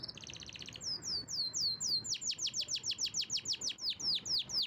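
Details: Canary song with a brief buzzy trill, then a long run of loud, rapid, downward-sweeping whistled notes repeated about twice per second, bright and high-pitched, with a quiet background.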